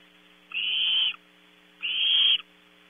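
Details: Nighttime Barn owl chicks at a California nest box, Audubon Starr Ranch, squabbling over prey brought in at 3 a.m. Two harsh, breathy hisses, each just over half a second, separated by a short pause, with faint steady hum behind.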